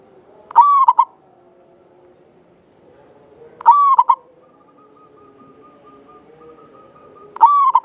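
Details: Local Javanese zebra dove (perkutut) gives long, clear, short rolling staccato coos about every three and a half seconds, used as a lure call; a faint steady whistle-like tone hums between phrases.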